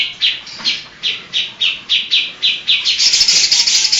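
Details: Caged greater green leafbird singing actively in rapid 'shooting' style, its song filled with mimicry of other birds. Loud, high chirped notes repeat about every 0.4 seconds, then break into a fast, dense trill.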